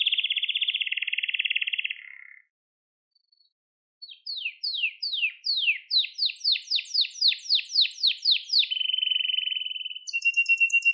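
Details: Canary singing in a recording meant to train young canaries and stir them to sing: a low buzzy roll, a brief silence, then a run of down-slurred chips that speeds up and settles into an even trill.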